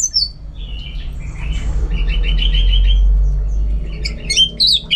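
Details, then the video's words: Orange-headed thrush singing at home in Singaraja, Bali, during contest training: a high opening whistle, soft buzzy notes, a rapid repeated trill, then sharp scattered chirps, over a heavy low rumble. "Super Kicauan ANIS MERAH Gacor"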